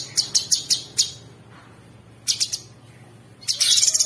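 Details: Masteran recording of a Sooty-headed bulbul, coarse rapid filler meant for training songbirds. Short groups of sharp high chips separated by silences, ending in a dense, fast buzzy trill.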